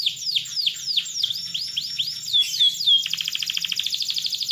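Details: Vigorous long canary song, said to make other canaries reply: a series of looping whistled swoops, several pure high whistles, then a fast even rattle of short repeated notes.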